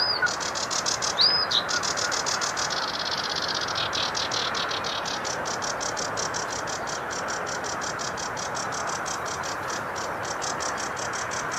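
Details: Sedge warbler song: a couple of sharp slurred notes, then a long run of dry, rapid ticking notes repeated about three times a second, over a steady broadband background hiss.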